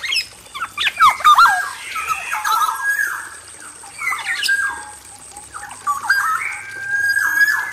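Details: Singing male black-naped oriole in an aviary: loud whistled notes that dip and rise, rapid jumbled phrases, then drawn-out level whistles, repeated in several bursts.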